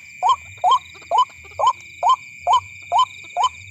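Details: Luring call of a white-breasted waterhen for night use: eight bright, rising notes repeated roughly twice per second, over low rumbling and steady high whining tones.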